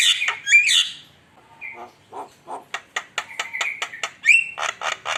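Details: Javan myna (jalak kebo) lure song: loud harsh squawks at first, then a brief whistle and soft rasps, followed by a fast run of clipped buzzy notes and squeaky whistles.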